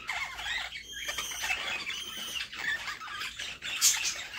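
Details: A mother budgerigar feeding her young in a nest box, accompanied by warbling, wavering squeaks and scratchy high begging notes of moderate loudness.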